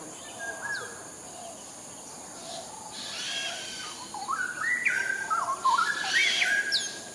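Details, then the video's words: Straw-headed bulbul, a wild bird in Singapore, delivering melodic song: a quiet start building to loud, liquid whistled phrases with rising and falling slurs, against steady background noise. "Straw-headed Bulbul, Melodic Songs"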